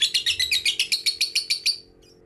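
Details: Lovebird ngekek trill, used as a lure for young, fighter and female lovebirds: a short run of about eleven harsh chattering notes in under two seconds, rising slightly in pitch, then stopping abruptly.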